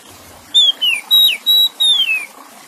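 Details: Oriental magpie-robin song set to trickling water, meant to help stressed or silent kept birds resume singing: five loud clear whistles, some steady and some slurring downward, spaced about a third of a second apart over a soft steady hiss.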